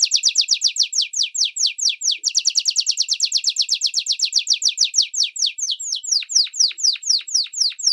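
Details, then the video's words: Long training song for common and Belgian canaries, young and adult: rapid series of sharp downslurred whistled notes, speeding into a dense rolling trill, then slowing again into spaced descending chips. "Canto Longo Para Ensinar Canários do Reino e Belgas em Treinamento - Filhotes e Adultos"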